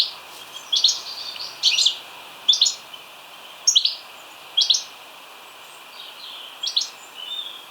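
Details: European goldfinch in a Hampshire, UK garden in 2020, announcing its arrival with a series of tinkling notes: bright, high, liquid twittering in short bursts about every second, over a quiet hiss.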